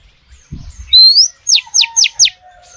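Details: Oriental magpie-robin female calling to males: one long upward-sliding whistle followed by four quick, steeply falling notes, with a brief low thump before it.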